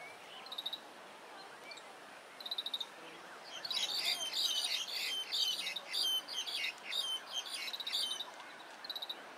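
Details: Grey-capped Greenfinch (Chloris sinica) calling in Hong Kong: high, fast twittering trills and buzzy chirps in quick bursts, busiest midway, over a faint background hiss.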